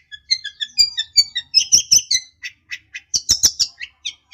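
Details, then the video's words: Long-tailed shrike (cendet) song to provoke a rival: varied whistled and mimicking-like notes in a quick sequence, interspersed with harsh scratchy bursts. "pancingan burung cendet bikin emosi lawan nya jamin nyaut"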